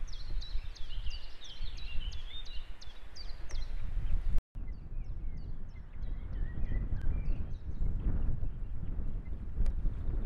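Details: Osprey at its nest in Estonia, 2018: a fast series of short, sharp, high chirping whistles, broken by a brief gap, over a heavy low rumble of wind noise.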